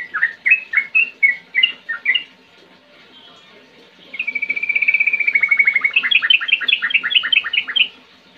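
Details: Sooty-headed bulbul: a few separate whistled phrases, a pause, then a long, even rolling trill of rapid notes lasting about two seconds. A burst of slurred chattering whistles closes the song.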